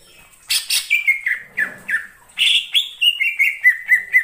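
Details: Greater green leafbird singing in the wild forest: a burst of harsh buzzy notes, then a run of clear whistled slurs, each dropping in pitch, repeated quickly in a lively, varied phrase.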